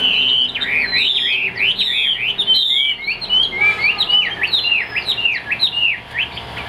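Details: Chinese hwamei, a caged songbird kept in Vietnam, sings a loud, rich run of rapid slurred whistles sweeping up and down, phrases tumbling together without pause, recorded indoors with faint low room hum.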